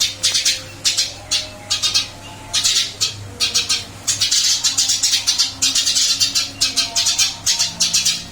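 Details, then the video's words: Captive Eurasian tree sparrow, still keen to sing after a move to a new cage, produces sharp chirps in short groups that become a long, near-continuous rapid series toward the end. "Burung gereja pindah sangkar Alhamdulillah tetap gacor mase"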